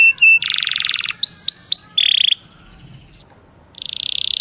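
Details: Canary song played as a lure to get other canaries singing: dense buzzy rattles alternating with quick upward-hooked whistles and a short trill, a brief pause, then another harsh buzzing roll.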